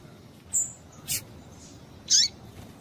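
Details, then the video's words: Female double-collared seedeater calling to stimulate males: a few brief, very high chirps, one thin descending note, spaced by short pauses over quiet background hiss. "Piado de Fêmea de Coleiro Para Esquentar Coleiro"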